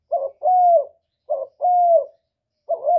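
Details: Spotted dove coo played to trap birds and stir caged ones: a rough short note, then a drawn-out, even, slightly descending coo, the pair repeated roughly every 1.3 seconds in near silence.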